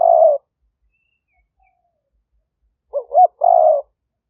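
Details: Caller spotted dove of a fierce strain, recorded in 2021 in Roi Et, Thailand, to attract wild doves; end of a rough coo, over two seconds of silence, then one full phrase of two short wavering notes and a longer coo.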